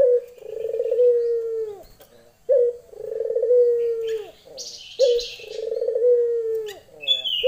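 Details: Barbary dove hen calling for a male, giving three long, low, slightly descending coos with a sharp start and a fading end, about every two and a half seconds, with short high twittering in the pauses.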